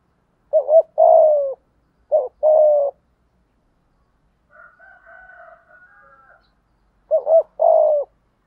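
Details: Lure spotted dove performing 'thúc gù' cooing with a 'thổ' voice. Three low phrases of a short doubled note and a drawn-out, descending coo. Soft higher chattering fills the pause in the middle.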